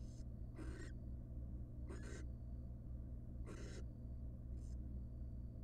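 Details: Nest box of wild barn owls, first night of the first nestling's hatching, the father arriving with a gigantic rat; grating hissing bursts, four or five in under six seconds, against a low electrical hum.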